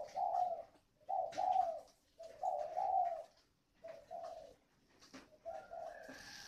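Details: Spotted dove used as a decoy, 'còi' voice style, Ba Vì, Hanoi: several two-part mellow coos separated by short silences, later ones softer, with a few clicks and a faint high tone at the end.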